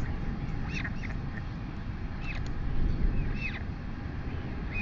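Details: Royal albatross chick begging while being fed by its mother on a nest in New Zealand, late morning, 23 August 2020. Several short, arched, whistly calls come in scattered bursts over strong, steady wind roar.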